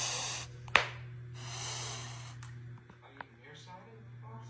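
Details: An owl in a defensive stance gives two long, breathy hisses with a sharp bill click between them and a few softer clicks after. A low steady hum runs underneath.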